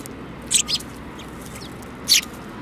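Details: Sparrows in a group that includes a yellow-beaked bird, 29 January 2018: two quick high chirps close together, a pause, then one louder chirp, over a low steady rumble.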